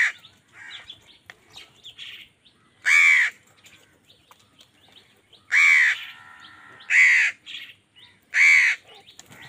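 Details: Crow quarrelling with wild birds over food: four loud, hoarse caws at uneven intervals over nine seconds, with faint chirps and a short low hum between them.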